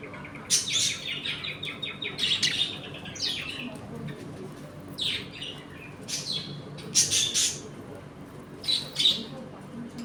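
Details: Budgerigars kept together in a home colony, eating and playing: bursts of buzzy warbled chatter and clipped chirps come in clusters with short quiet gaps between, several birds calling over one another indoors.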